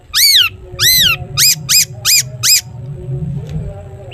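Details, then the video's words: Long-tailed shrike, a caged songbird kept to prompt other shrikes to sing, giving loud arched harmonic notes: two longer rising-falling calls then four shorter ones about a third of a second apart, followed by quiet hum. "cendet gacor TOET TOET buat pancingan cendet agar bunyi"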